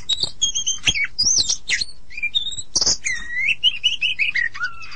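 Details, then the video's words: Oriental magpie-robin (kacer) song: a rich, varied run of clear whistled notes, quick chirps and slurred phrases, some rising and some falling, delivered almost without pause through the clip, with a few sharp clicks between phrases. "suara burung kacer mp3 (copsychus saularis)"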